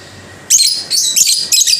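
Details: Lovebird kept as a pet uttering three short, scratchy high chirps in quick succession, each burst about a quarter second, with brief pauses between.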